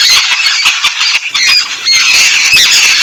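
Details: Yellow-billed babblers bathing in Sri Lanka: a brief, steady wash of grating chatter with a few thin squealing notes rising out of the noisy flock.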